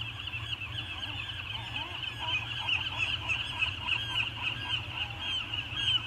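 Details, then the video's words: Pair of peregrine falcons circling one another over Anacapa in the morning, 2019: quick run of scratchy, down-curved call notes repeated about three times a second, growing louder toward the end, against constant broadband background hiss. "Anacapa Peregrine falcons; morning circle chat"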